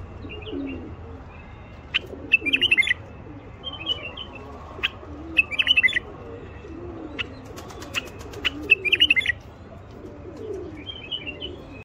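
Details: Common bulbul male song used to get quiet wild bulbuls singing and mating. Short slurred whistled phrases and chirps repeat irregularly, about eighteen per minute, against steady low background noise.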